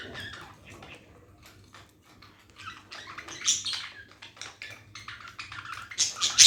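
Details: Budgerigars (Melopsittacus undulatus) in the morning, in a sleepy mood after being woken, chatter in quick, scratchy chirps that come in irregular bursts and grow louder toward the end.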